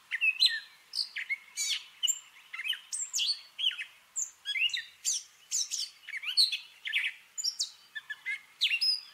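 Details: Mimicking Gray catbird pours out a continuous jumble of brief, varied phrases, with whistled slides, rough notes and quick chirps following one another rapidly and rarely repeating, with nothing else audible behind it.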